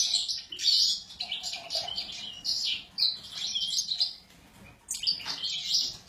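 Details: Excited Sura delivering bursts of high, scratchy twittering song broken by short pauses, with quick chirps and trilled phrases recurring about every second.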